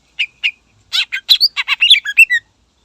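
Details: Greater green leafbird singing to provoke rival birds: two separate chirps, then a rapid tumbling run of about a dozen varied chirps and slurred whistles without pause.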